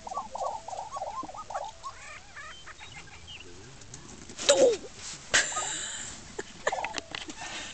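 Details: Male lesser prairie-chickens at a lek in Oklahoma, dancing, inflating pouches and fighting as females choose mates. Hollow, bubbling hoots and cackles overlap in series, with sharp clacks and rustling bursts.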